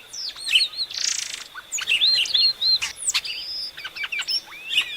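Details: Epaulet oriole from Brazil: a varied song of sharp chirps, quick whistled slurs and clicks mixed with a short raspy burst, over a steady high-pitched ringing tone.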